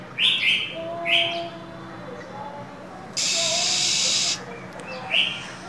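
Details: Female than songbird in cold winter, hissing and calling constantly: several short, high chirps in the first second and near the end, with a loud, steady hissing burst in the middle.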